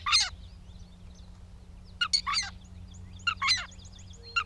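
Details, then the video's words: Gray catbird at Bowdoinham, Maine, on 16 May 2020, giving harsh, scratchy broadband notes in short clusters separated by pauses, with faint thin twitters between bursts and a steady low hum beneath. "The many sounds of the Catbird"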